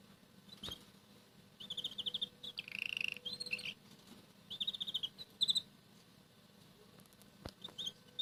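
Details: Red canary softly singing in the morning while eating boiled egg yolk, a second canary nearby eating radish leaves; quiet high trilled phrases and a buzzy rolling passage, broken by pauses, with faint clicks and soft low room hum.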